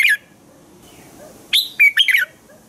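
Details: Morning song of a red-whiskered bulbul, for training other bulbuls to sing: a brief note, a pause with faint soft notes, then a quick phrase of sharp, slurred whistles.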